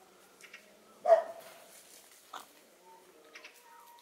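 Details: Spanish white face and Australorp black hens sunbathing; a single sudden loud harsh squawk, then a quieter short burst and faint soft calls in a calm setting.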